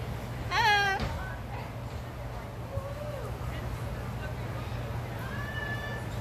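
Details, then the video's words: A cockatoo at Dallas Zoo, 11 August 2021, gives one loud, voice-like "hello" lasting about half a second, then quiet; faint voices and low traffic hum underneath. "Cockatoo Says Hello"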